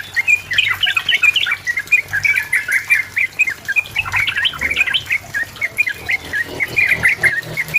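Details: Energetic Sooty-headed bulbul song used as a challenge to a rival: continuous chattering, bubbly warbled notes in quick succession, rising and falling, with low background hum.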